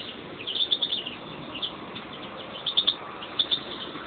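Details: Kept pair of European greenfinches: a fast twittering series of high chirps opens, then two shorter chirp groups follow after a pause, over a muffled, hissy background.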